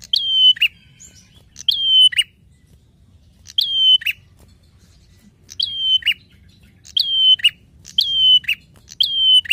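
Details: A prinia sings loud, sharp, ringing chirps in short bursts every second or two with brief pauses, over a faint low hum, a recording used as a lure to provoke other prinias.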